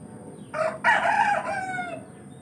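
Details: Rooster crowing in a village: a single loud cock-a-doodle-doo with a short first note, then a long harmonic drawn-out phrase falling away over about one and a half seconds, against quiet background.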